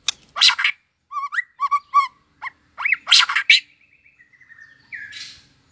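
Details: White-rumped shama beginning breeding form, flicking its tail, in competitive song: harsh bursts, paired warbling notes repeated several times, then a soft trill and a falling whistle.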